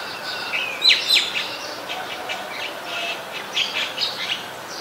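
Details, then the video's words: Great myna, labelled White-vented Myna (Acridotheres grandis), in Ubon Ratchathani, Thailand, on 29 December 2019: harsh, scratchy chatters and short whistled notes, about four a second, with a louder squeaky burst near the start over faint background noise. "นกเอี้ยงหงอน หรือนกเอี้ยงดำ (White-vented Myna)"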